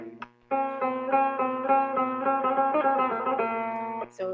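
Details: Plucked string music, like a banjo or guitar, strums in quick repeated chords over a steady low hum. No animal voice can be heard anywhere.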